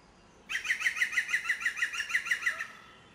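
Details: European green woodpecker (Picus viridis) hidden in a tree at Ploufragan, Côtes d'Armor, France, gives its loud, ringing laugh: about a dozen clear, even notes in two seconds, steady in pitch, against a quiet background.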